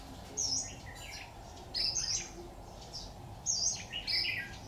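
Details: Red-whiskered bulbul heard while being trapped with a decoy bird on 26 October 2019, giving bright, high, slurred chirps in clusters about every one to two seconds above a constant low hum.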